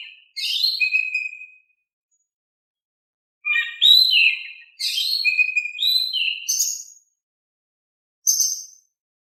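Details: Oriental magpie-robin singing calmly to coax reluctant birds into song: varied whistled phrases with falling slurs and high chips, delivered in bursts separated by short silences, ending with a lone high note.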